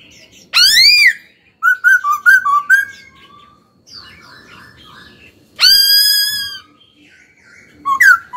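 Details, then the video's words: Laughingthrush song in training: loud, rich, harsh rising calls frame a run of quick warbled whistled notes and a softer chattering passage, ending with a short upward-flicking whistle. "Khướu hót cực hay, kích bổi hót ngay"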